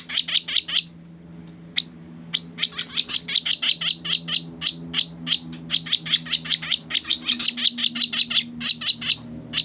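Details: Trapping lure sound of a sooty-headed bulbul: rasping chips in quick runs, a short pause near the start, then a long steady series at about three notes per second with low hum behind.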